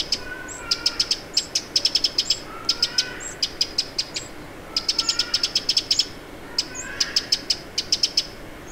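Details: Eurasian wren alarm calls by Lake Vänern, Sweden, late July 2017: hard ticking clicks in rapid bursts of three to eight, repeated through the recording, with soft faint whistles beneath.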